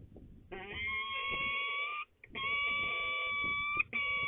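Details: Peregrine falcons at the nest site in De Mortel, Netherlands, 28 March 2020: two long, steady, nasal wailing notes, each held over a second with a rich harmonic ring, separated by a short break, with faint low background rumble.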